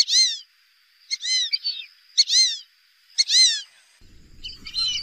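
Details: Wild duck calling in a regular series of curved, downslurred squeals roughly once a second, ending with rougher notes over some low noise.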